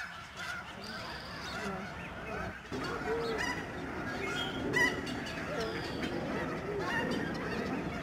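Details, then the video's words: Snow geese in huge flocks swirling down from the sky at a Fraser River estuary wintering sanctuary in Delta, BC, Canada, March 2011; a continuous chorus of yelping, barking honks from countless birds, rising in intensity after a short lull. "Snow geese flying and honking"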